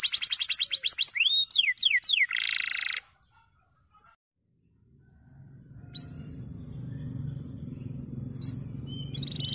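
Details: Male canary song used to train young canaries. About three seconds of quick downslurred notes and a buzzy burst, then silence and a low hum with two isolated high chirps.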